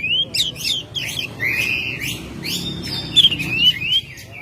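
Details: Home-kept Oriental magpie-robin in May delivering a busy song of rising and falling whistles, buzzy trills and high slurred notes in quick succession over a faint low hum.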